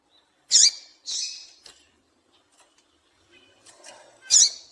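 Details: Call of a female double-collared seedeater, used to prompt males to sing: two high, piercing squeaky notes about half a second apart, a quiet pause with soft scattered ticks, then one more loud shrill squeak at the end.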